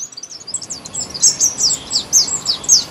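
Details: In an Indian garden a sunbird delivers quick high chirps, starting with faint rapid notes and building into loud downward-sweeping calls repeated about three times a second.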